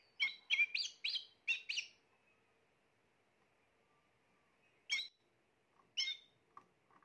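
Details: Spanish Timbrado canary, a bird from the 2020 season, giving a quick run of six sharp chirped notes, then silence and a few scattered single chirps.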